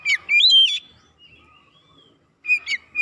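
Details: Oriental magpie-robin lure song to provoke birds: a short phrase of loud slurred whistles, a long quiet pause with a faint thin note, then more sharp whistled notes.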